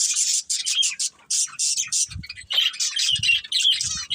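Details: Budgie family of pet birds chattering in bursts of rapid high warbling chirps, each burst about half a second to a second long, separated by short pauses and faint low knocks.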